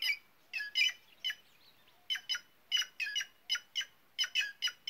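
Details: Harsh, nasal squawks from a white-naped jay, a curious, noisy bird of dry northeastern Brazil, delivered in quick doubled and tripled bursts with a faint hiss behind.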